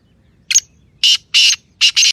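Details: Francolin, called titer in Sindh, voicing a grating call: a short opening note followed by two long rasping bursts and a quick double burst, loud against a still background.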